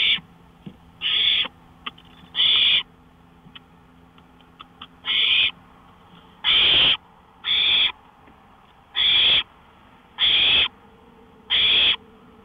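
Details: Owl out on a porch at 1:53 AM on May 5, 2013, uttering a series of nine raspy hissing bursts, irregularly spaced one to two seconds apart, with faint clicks and a low hum.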